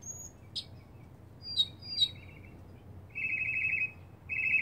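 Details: Lone male mockingbird in a back yard, singing to attract a mate: scattered high sharp notes, then a long fast trill and another trill, over faint low background rumble.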